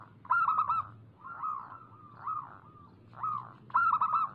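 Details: Zebra dove of local stock singing lustily as a lure: short stuttering coo bursts alternate with softer, rising-and-falling single coos, the rhythm repeating about every second.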